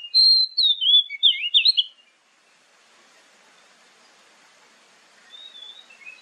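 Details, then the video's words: Oriental magpie-robin song used as a lure to prompt other birds to answer, morning and evening. About two seconds of loud, varied whistled phrases sweeping up and down, then near silence with faint hiss, and a soft brief whistle near the end. "SUARA PANCINGAN KACER PAGI-SORE"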